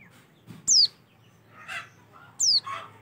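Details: Oriental white-eye recording used as a lure to get white-eyes singing: two separate high, thin whistles, each sliding steeply downward, with faint softer chirps between them over a quiet background.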